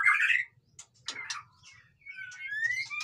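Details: White-rumped shama with noisy song: a loud buzzy burst, a gap with scattered clicks, then drawn-out rising whistles climbing steadily toward the end.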